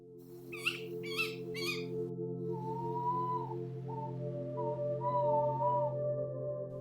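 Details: Tawny owls from a local woodland family with young: three harsh, scratchy shrieks, then a long, quavering, mid-pitched hoot that breaks off and wavers again, over a steady droning musical bed.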